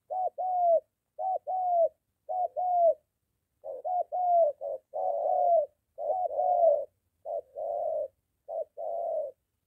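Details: Spotted dove cooing near a house, a moulting decoy bird being trained and facing a wild dove: paired soft hoots, a short note then a longer mellow one, repeated in steady bouts about once a second.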